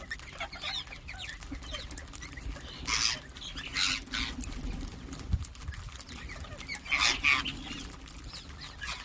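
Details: Ring-necked parakeets calling and chirping: three harsh, rasping screeches spread across nine seconds, with scattered quieter chirps and a steady low hum behind.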